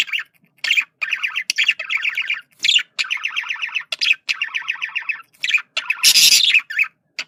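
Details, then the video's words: Male budgerigar making communication sounds: long runs of rapid rattling, buzzy warbled chatter broken by short sharp chirps, with one harsher noisy burst toward the end. "sonido de comunicación de periquito macho"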